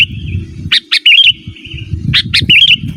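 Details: Sooty-headed bulbul song for calling wild birds and training cage birds; two phrases of sharp chirps ending in a bright, wavering warble, with quiet low rumble between.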